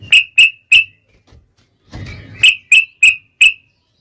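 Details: Yellow-vented bulbul in 'ropel' song, kept as a lure recording to set bulbuls singing: short bright chipping notes in two bursts of three and four, separated by a pause with a soft rustling noise.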